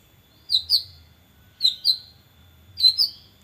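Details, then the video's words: White-rumped shama lure sound in an erratic style used for training birds: paired bright high chirps repeated about once a second, three pairs in all, over a faint steady electronic hum. "pancingan murai batu konslet."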